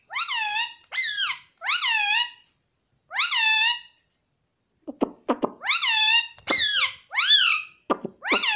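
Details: Indoor pet parrot talking, repeating "mummy": clear, nasal, rising-then-falling syllables in pairs and runs, one long gap of silence midway, then faster clipped syllables and short squeaks.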